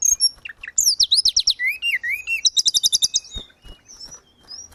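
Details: A singing grey-cheeked bulbul, recorded to train caged birds: swooping, zigzag whistles falling then rising, followed by a fast, even run of about a dozen sharp repeated notes, ending in faint high chirps.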